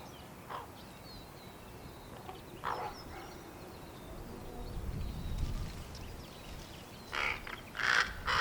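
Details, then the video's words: Young common ravens, hatched 1 April 2022 and fledged 15 May 2022, wait for their parents to feed them as an impatient one calls: harsh, raspy bursts at irregular intervals, clustering near the end over a low background rumble. "Baby ravens making noises"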